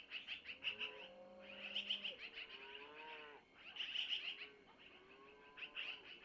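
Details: Nestling long-eared owls begging while the mother feeds them prey passed from the male, early morning at a nest cam; clusters of sharp, high chirps with smooth, wavering tonal notes below, coming in several bursts.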